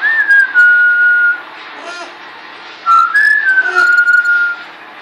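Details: Pet parrot indoors in Quebec, Canada, giving some of its first whistles: two clear, pure whistled phrases, each sliding briefly upward then holding a steady level tone for about a second, separated by a short gap with faint room noise.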